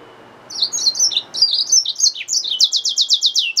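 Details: Hybrid finch, yellow-fronted canary mule, sings bright high twittering phrases that break into a fast regular trill of repeated down-sweeping notes, about four per second; quiet background.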